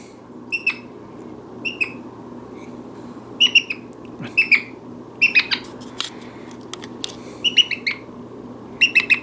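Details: Pet brown-headed parrot indoors in a chatty mood, giving short bright chirps, mostly in quick runs of two or three with pauses between, repeated irregularly throughout, over a low steady room hum.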